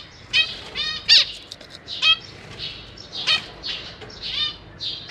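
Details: Zebra finch family in a cage, parents busy feeding new babies; separated nasal, stacked beeps and short raspy bursts every half second to a second, several birds involved.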